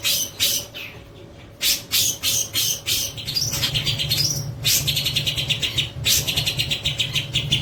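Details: Kapas tembak song of a long-tailed shrike for bird training: loud rasping high notes, then a fast run of chattering, buzzy repeated elements with thin whistled slides, accompanied by a constant low mains hum.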